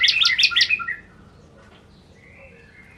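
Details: Bar-winged prinia (ciblek) producing a brief jumbled cluster of high chirps and twittering notes lasting under a second, followed by near quiet and a single note at the end.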